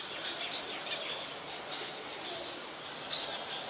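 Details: Yellow-bellied Sunbird (Olive-backed Sunbird, Cinnyris jugularis) photographed at home on a March 2021 afternoon: two thin, very high upslurred notes, sharp and brief, about two and a half seconds apart, with faint hiss between them.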